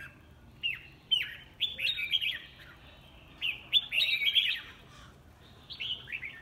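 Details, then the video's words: A red-whiskered bulbul in competitive (fighting) song gives bright, bubbly, mid-to-high whistled phrases in quick bursts with short pauses between, over a faint low background hum. "Chào mào hót đấu"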